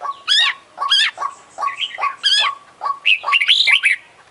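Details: Oriental magpie-robin, an international champion, singing loudly with rich isian content: sharp rising-falling whistles alternating with steady mid-pitched notes, ending in a quick run of varied chirps and scratchy phrases.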